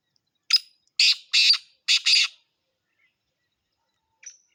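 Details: Black francolin calling: a short harsh note followed by two pairs of grating, buzzy syllables within about two seconds, then silence and a faint high chirp.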